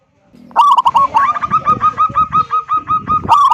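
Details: Local zebra dove singing loudly in the 'kung' style to draw other doves into singing: a steady, rapid series of short, even cooing notes, roughly four per second, bracketed by harsher stuttering bursts.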